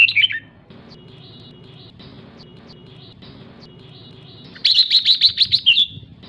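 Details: Ché calls of a female red-whiskered bulbul that excite males: a brief tumbling chirp at the start, a quiet stretch, then a quick run of about ten bright repeated notes ending in a slur.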